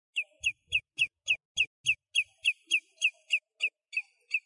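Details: Flamingos at sunrise in the Axios Delta National Park, Macedonia, Greece, give short, nasal, high honks about three times a second, with a faint low rumble under the first few notes.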